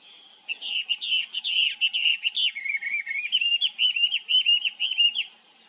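Chinese hwamei giving a loud, rich run of varied whistled phrases, quick and slurred, about two notes a second over roughly five seconds; faint background hum.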